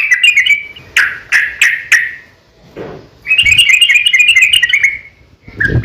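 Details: Sooty-headed bulbul fighting song, a long ropel lure meant to provoke other bulbuls into answering. A few sharp chirps open, then a brief pause, then a dense burst of rapid twittering, and the song trails off near the end.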